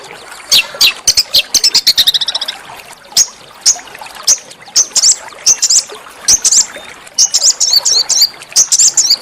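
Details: Small songbird used as training song for oriental magpie-robins and white-rumped shamas: very high, sharp clicks and brief twittering trills in irregular bursts, with short pauses between.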